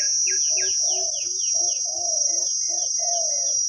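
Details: A deep-voiced wild spotted dove calls in khu-ang style to a decoy. Rounded mid-low coos come in quick succession, some paired with softer lower notes, over constant high insect buzzing and descending chirp runs from other birds.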